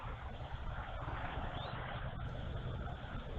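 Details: Steady low rumble like wind or a distant engine, with a brief scrape midway and no animal voices.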